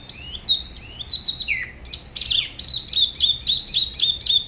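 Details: From Da Lat's La Ba river, a spot-throated babbler's solo song with a locally distinct style: swooping whistled slurs, then rapid repeated bright chips several per second.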